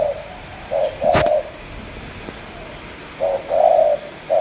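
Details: Spotted dove from Cà Mau giving two short-then-long coo phrases separated by a quiet gap, with a sharp click between them.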